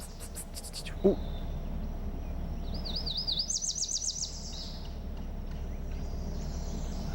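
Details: In riparian bottomland along the Bitterroot River in western Montana, where birds nest, a Yellow Warbler sings a quick, bright series of high, wavering notes lasting about a second and a half, among brief chirps of other birds, a knock and a steady rush.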